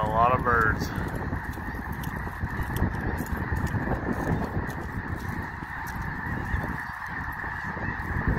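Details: Spring flock of snow geese approached on foot during a walk; a burst of nasal, stacked honks opens, then dense, continuous low flock chatter and rumble carries on throughout with steady background noise.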